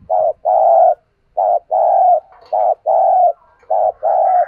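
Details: Decoy spotted dove giving urging calls to provoke other doves. It makes three loud, rich coo pairs, each a brief note then a sustained mellow note, with short pauses between.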